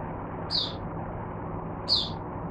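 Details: Oriental white-eye kept as a teacher for other white-eyes, 22 January 2022. Two short, high, sharp notes about one and a half seconds apart over a low background hum.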